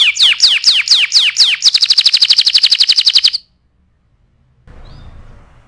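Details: Canary song used to tutor other birds: a string of sharp down-slurred whistles, then a rapid, regular high trill, a pause, and faint background noise with a short chirp.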